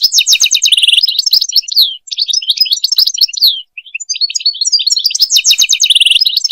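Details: European goldfinch singing, for mating and teaching goldfinches to sing: buzzy trills and rapid tinkling chirps, two short gaps, ending with a loud rattling trill.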